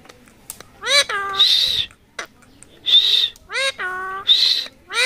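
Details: Rose-ringed parakeet kept as a talking bird, associated with Mirpur 1 bird market, alternating falling speech-like voiced syllables with harsh high raspy squawks, roughly three bursts spread across the recording, separated by short silences.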